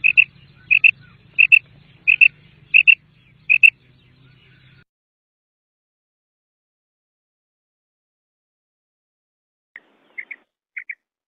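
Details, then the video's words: Common quail giving short, sharp, liquid notes about every two-thirds of a second, six in a row, then a pause and three more; a low hum underlies the start. "Bater ki awaz"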